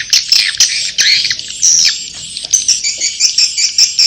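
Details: Inap Ababil swiftlet roosting call: shrill, buzzy chirps tumbling in quick uneven bursts, short squeaky notes repeating rapidly toward the close.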